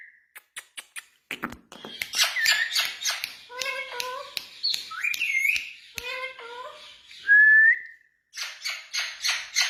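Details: Pet Indian ringneck parakeet talking in Urdu or Hindi, mixing word-like phrases with clicks, taps and a bright rising whistle, followed by rapid chattering syllables.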